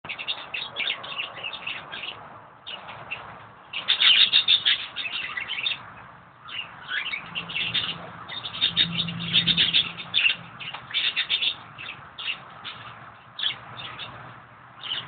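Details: A male budgerigar in an aviary with too many males, which has been trying to mate with a Japanese quail, chatters in a fast, scratchy warble of high chirps and squeaks, with brief pauses between bursts.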